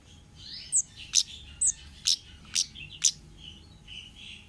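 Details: Wild orange-headed thrush song used as a lure recording: sharp, high metallic chips repeated about every half second, with softer slurred whistles between them and a steady low hum.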